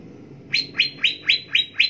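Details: Cucak ijo song excerpt: six crisp, ringing notes, each a quick downward slur, repeated evenly about four times a second in a clean recording.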